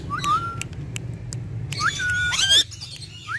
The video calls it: Ringneck Talking Parrot